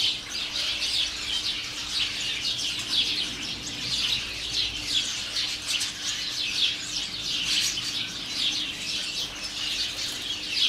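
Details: A house sparrow colony in a garden, dozens in holly and flowering currant bushes, chirps and chatters non-stop, many bright overlapping cheeps at once, with a faint steady hum underneath.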